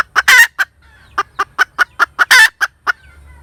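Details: Hen cackle: a loud rasping squawk after two quick clucks, a short lull, then a regular run of sharp clucks building to a second harsh drawn-out squawk, with a faint hum between.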